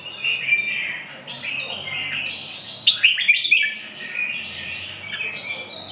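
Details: Red-whiskered bulbul giving a continuous warbling song of fluty whistles, with a lively flurry of clipped chirps in the middle.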